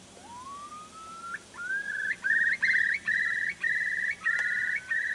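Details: Eurasian curlew near Buxton in the Peak District, Derbyshire, on 28 April 2013: a clear slurred whistle rises steadily, then breaks into a run of fast, bubbling, warbled notes held at one high pitch.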